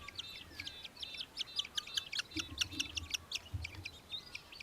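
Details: Australian hobby recorded in Victoria, Australia, in December 2023, giving a fast run of clipped, high-pitched kek-like notes that speeds up mid-series and then thins out, over light low background noise.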